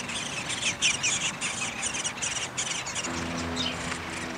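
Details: Downy woodpecker nest with feeding under way, May 20, 2021: quick bursts of high chirping notes, roughly two or three per second, then a low steady hum joins in near the end.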